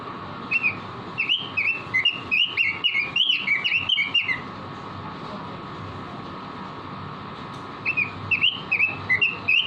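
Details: Caged robin in energetic song, used as a training recording for other caged birds: bursts of quick, clear whistled notes rising and falling, run together for about four seconds, a pause, then another burst, over a steady electrical hum.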